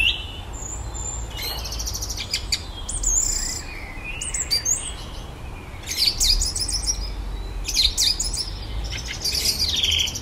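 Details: Evening song from a common blackbird in a garden that copies electronic sounds: clusters of high squeaks, chirps and sharp clicks in irregular bursts separated by short pauses.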